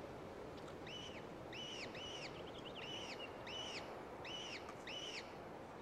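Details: Downy gyrfalcon chicks at a cliff-ledge eyrie on the tundra after a gray female brings food; high arched, slightly harsh squealing notes given in pairs and singly, about seven calls over a steady background hiss.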